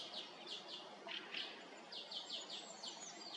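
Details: A brambling checking an empty forest feeder on a cold early morning, 6 May, gives short, bright, downward-slurred chirps, about three a second in quick bursts, over a soft steady background hiss.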